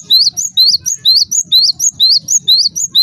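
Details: Java sparrow giving high, sweeping chip calls in an even run of about two per second, a sound said to get other Java sparrows calling at once; faint low-pitched noise underneath.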